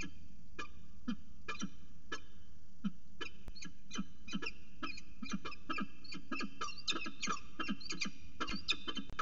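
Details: Northern goshawks mating on the edge of a water tower nest; calls begin spaced, then speed into a dense rapid run of sharp notes over low background rumble.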